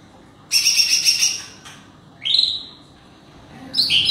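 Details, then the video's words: Leafbird luring and answering wild forest birds, giving a rapid trilled burst of high notes, then a clear upward-sweeping call and a final sharp high note, with quiet background. "Hijau Sami blh panggil burung hutan lawan"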